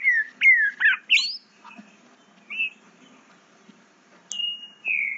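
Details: Young green-winged saltator, eight months old, learning its song: rapid choppy whistled notes jumping up and down in pitch, a short isolated warble, then a long level whistle that drops slightly at the end.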